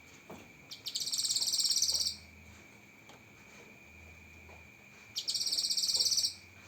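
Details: Cucak kinoi song, tutor recording full of sharp 'tembakan' phrases: two high, rapid buzzy trills of about a second each, separated by a quiet pause, over a steady faint high hum.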